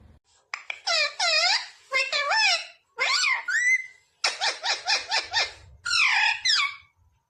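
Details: Talking green ringneck parrot: bursts of bright, speech-like syllables with wavering, rising and falling tones, grouped in five quick phrases over seven seconds, with short silences between them and a quiet background.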